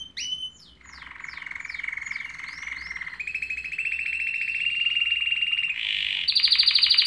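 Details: Canary singing a sequence of descending slurred notes, then long low rolling trills that step up in pitch, ending in a high sharp rattle.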